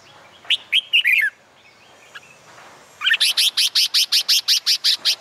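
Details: Summer-day song of a red-whiskered bulbul for contest training: an opening phrase of quick liquid whistles, a pause, then a steady series of sharp high chirps repeated about three times a second.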